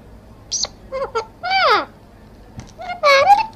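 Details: Talking parrot saying "Radhe Radhe" in short, clipped, speech-like phrases. The voice is high and sliding, with a brief squeaky note at the start, recorded in a small room.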